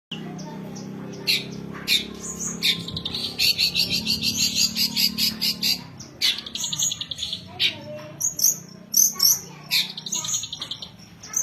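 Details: Young songbird described as ready for contest sessions, singing loud rapid trills of buzzy high notes in pulsed bursts, with sharp chips between phrases over a steady low hum.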